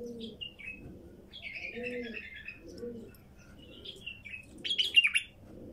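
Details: Wild female bulbul giving a series of descending whistled phrases and a warbled run, ending in a louder chattering flourish, while doves keep up a repeated low cooing in the background.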